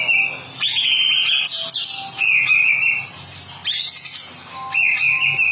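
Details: White-rumped shama singing for caged birds that have stopped singing: rich whistled phrases with trilled passages and upward sweeps, given in bursts of about a second with short gaps between them.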